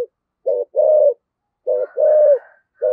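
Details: Decoy calling of a spotted dove in the 'thổ sấm' voice: low mellow coos in pairs, a brief note followed by a drawn-out one, with faint higher overtones trailing the second pair.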